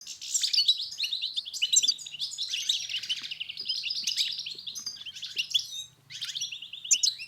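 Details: European goldfinch song used to coax a silent bird into singing: a continuous, fast twittering run of high chirps and buzzy trills, rising and falling without pause, with a brief break near the end before the twitter resumes.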